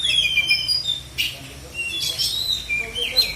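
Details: Black-and-white Oriental magpie-robin singing during a contest in South Aceh, Indonesia: clear, high whistles rising and falling, broken by short buzzy bursts, with soft murmuring voices in the background.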